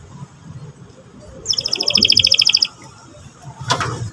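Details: Young canary song used to provoke another young canary into singing: a rapid buzzy trill of evenly repeated high notes lasting about a second, then a short sharp click, over faint low background rumble.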